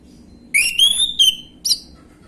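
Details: One gamblingan-style phrase from an orange-headed thrush, a lure for untrained birds: an upward whistle, a held bright note and a quick falling tail, then a separate short high chirp. A faint low hum runs underneath.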